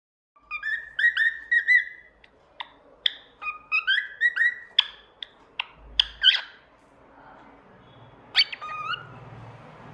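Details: Pet cockatiel singing: a lively run of whistled, harmonic-rich notes, some rising and some falling, delivered in quick bursts for about six seconds, then a short pause and a final pair of sharp notes over quiet room noise.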